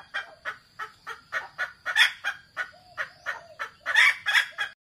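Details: Wild junglefowl (kasintu) lure call, suited to rousing a decoy cock: a fast run of about fourteen hoarse, clucking notes, roughly three a second, louder toward the end, over a thin steady high whine.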